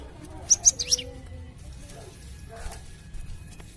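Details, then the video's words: Captive Cinereous tit, kept for its melodious voice as a master bird for training: a quick run of four bright, high chirps near the start, then only low hum and faint noises. "#suaraburungglatik burung glatik"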